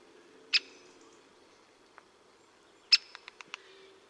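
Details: Great spotted woodpecker in the Vosges, Alsace, giving sharp, loud 'kix' notes: a single one, then another followed by a quick run of four softer ticks, over a faint low hum.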